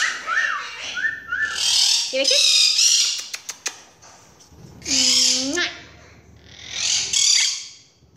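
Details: Captive monk parakeet calling 'mommy' to its owner at home, giving loud harsh screeching bursts separated by short whistled notes and a few sharp clicks, while people speak in the room.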